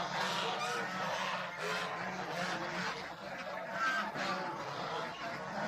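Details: Farmyard domestic geese, goslings among them, keep up a constant babble of overlapping honking and gabbling calls, with a faint low rumble underneath and a brief swell of louder honks near the end.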